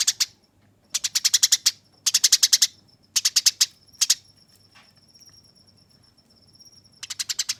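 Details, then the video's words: Rough, rolling fighting song of a Eurasian tree sparrow for training: clustered bursts of fast high chirps separated by short pauses, with a thin steady high whistle in the background. "Masteran Burung Gereja Tarung Ngeroll Abis Nyerecet Kasar dan Jernih"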